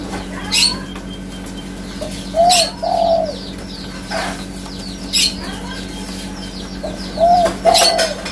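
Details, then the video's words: Spotted dove (tekukur) giving low soft paired coos twice, several seconds apart, among frequent clicks and high twittering of other birds over a low hum. "Suara Burung Tekukur Asli 100% Ori"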